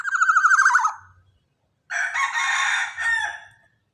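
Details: Young black-naped oriole with a large, heavy body and a loud voice, used to train captive birds: a run of quick nasal, harmonic notes sliding slightly downward, then a pause and a longer harsh, rasping burst.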